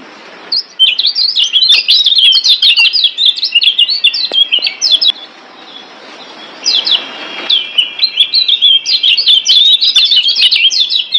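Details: Lombok kecial kuning, a white-eye, singing a training master song for caged birds: long runs of fast, shrill, chattering chirps at high pitch, broken by a short pause and a thin whistled stretch before resuming.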